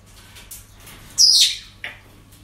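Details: Parrots at a breeding centre giving a loud, grating screech, then a shorter harsh call half a second later, with faint calls in the background.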